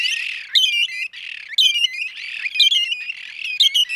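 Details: Calls of a red-and-white barbet (Somali dhiirran) from Somali wildlife: harsh, squawking, chattering phrases repeated about once per second, with layered high notes and a rough, continuous undertone between the bursts.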